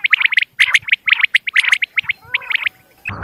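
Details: Common quail, female, calling: fast clusters of bright, short piping notes, some quavering, packed closely over three seconds before a sudden rough noise at the end.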